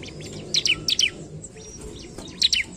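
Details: Singing bar-winged prinia, meant to provoke rival birds: short clusters of two or three high, sharp down-slurred chirps separated by quieter pauses, with faint background hiss.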